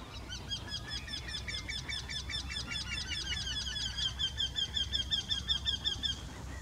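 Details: Two Eurasian wrynecks sing in the same tree, giving a long run of nasal, plaintive quee-quee-quee notes, about three a second, overlapping against a low background rumble.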